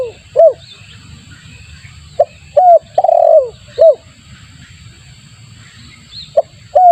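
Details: Spotted dove lure call, used as bait to attract other doves: scattered short hooked coo notes and one longer, louder slurred coo, separated by pauses, over a low background rumble.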